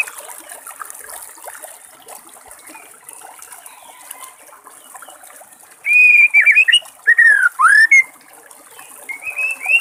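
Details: White-rumped shama singing in the wild, with trickling water: a quiet stretch of soft background, then loud clear whistled notes sliding up and down, bunched into a short burst near the end.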